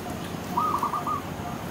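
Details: Dove calling from a tree: one short, purring coo of rapid pulses, about half a second long, over a steady background hiss.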